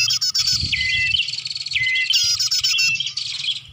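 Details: Bar-winged prinia lure recording made for attracting birds: dense, high chirps and buzzy harmonic bursts run almost continuously, with a long flat whistled note near the middle and a brighter, strident burst in the second half.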